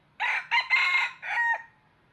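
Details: Red junglefowl kept as a trapping decoy gives one clipped crow of four harsh segments, with a long sustained middle and a shorter, fading end, about one and a half seconds in all, over faint low hum.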